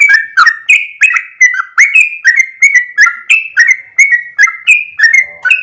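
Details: Energetic sooty-headed bulbul song in the long 'ropel' style, with bright whistled syllables alternating between higher and lower notes, delivered in a quick, unbroken, chattering stream.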